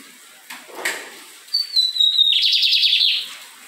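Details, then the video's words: Lined seedeater in song, Fátima neighbourhood, Maranhão: after a few soft background noises, a thin high whistle drops slightly, then breaks into a rapid, buzzy rattling trill of about a dozen quick notes. "Bigodinho de Miro cantando muito"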